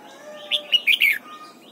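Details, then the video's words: During morning voice training for the 'double-note' wild style, a red-whiskered bulbul sings a short crisp phrase: a clear opening note, two quick chirps and a warbled, falling finish, with a faint low hum beneath. "Luyện giọng chào mào hót sáng, ép chào mào hót âm kép già rừng hay tuyệt!"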